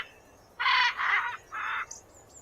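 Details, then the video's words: Three rasping macaw squawks in quick succession, the first two nearly joined, followed by a faint high chirp of another bird. "SONIDO DE GUACAMAYO"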